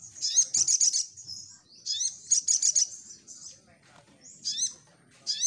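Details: Crimson sunbird singing in a lively, continuous style used as a lure to draw other birds to respond: bursts of very high, rapid chattering trills with thin rising whistles, separated by short quieter pauses.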